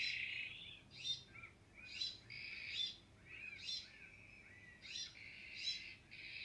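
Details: Iberian magpie, also called azure-winged magpie, giving harsh, raspy, buzzy calls repeated roughly every second, with short sweeping notes between them. The background is quiet, with faint low hum.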